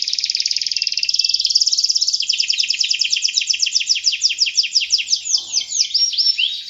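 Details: Energetic canary song for training other birds: a rapid rolling trill that shifts into a long series of quick, looping high notes, growing more varied toward the end, with a brief faint low sound near the close.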